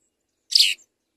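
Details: Parent house sparrows feeding two young: one loud, buzzy chirp sliding slightly downward, about a quarter second long, followed by a tiny faint note.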